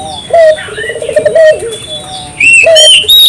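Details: Vigorous puter dove song, used as a lure to stimulate local puter doves to sing: low tonal coos, one drawn into a rapid pulsed trill, with loud high whistles and chirps from other birds over the end.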